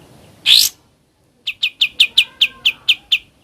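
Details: Ngebren-style singing of a sooty-headed bulbul. One harsh burst, a short pause, then nine crisp, evenly spaced chip notes delivered rapidly.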